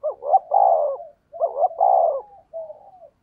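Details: Rapid spotted dove decoy cooing, 'thúc gù' style with a 'thổ đồng' voice: two hoarse phrases in quick succession, each a broken double note running into a long coo, then a softer fading coo.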